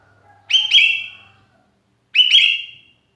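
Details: Lonely sooty-headed bulbul calling for companions, a recording meant as a lure: two loud, clear whistled notes, each with a quick sharp start and a level, slowly fading tail, about a second and a half apart.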